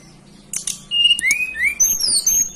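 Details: Local hill blue flycatcher of the Banten and West Java mountains. A quick warbled song mixes mid-pitched slurred whistles with very high thin notes, preceded by a few sharp ticks.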